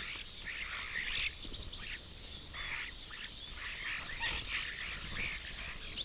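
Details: A flock of about 70 common starlings at a garden feeder, competing for few perches, with others in surrounding trees, chatters continuously in dense overlapping harsh squawks, clicks and wheezy notes, without pauses.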